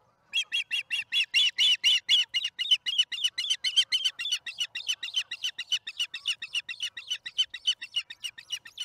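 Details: Osprey at the Charlo nest, camera-recorded on April 26, 2019 at 1:50pm MDT while bringing a fish to the nest; rapid high chirping notes repeated nearly four times a second, loud at first then fading slightly.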